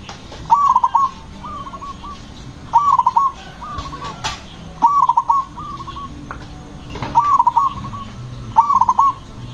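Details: Zebra dove with a powerful, soft-toned voice used to provoke other zebra doves. Loud bursts of quick coos repeat about every two seconds, alternating with softer, lower coo phrases from neighbouring doves.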